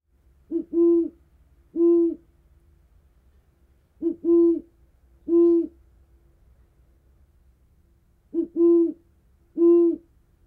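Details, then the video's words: Great Horned Owl giving deep, low, resonant hoots in three repeated phrases, a short stutter then two longer soft hoots, every few seconds. "its call is a deep resonant hooting that sounds like hooh hooh hoo ho hoo"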